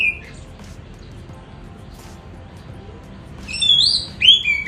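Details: Caged Oriental magpie-robin (Kacer) in Semarang, Indonesia, singing in the morning around its bath after a spell of rarely singing. Near-quiet low hum at first, then a few sharp, high, slurred whistled notes near the end.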